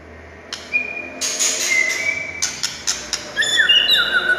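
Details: White-rumped shama song used to provoke other shamas into singing: scattered sharp chips, then long pure whistles near two kilohertz and a run of quick rising notes, with a faint hum underneath.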